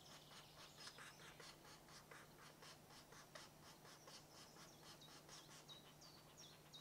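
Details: European green woodpecker at a nest site in a Dorset wood: rapid, harsh broadband pulses repeated more than once a second, with thin high whistles from other birds and a steady low hum.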